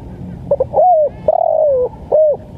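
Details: Tekukur, or spotted dove, from East Java in the 'lambungkuk' style kept for trapping lures: short stuttered notes lead into a long, steady, slightly falling coo, then a shorter closing coo.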